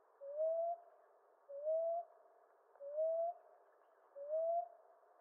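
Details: Common ground dove of eastern North America giving soft, rising coos, each under a second long, repeated steadily about every 1.3 seconds, four in a row against a quiet background.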